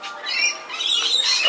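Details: Lorikeets heard below, near a group of corellas, apparently having a bit of an argument in September 2009: harsh, grating squawks running together almost without pause, with scratchy rising bursts near the end.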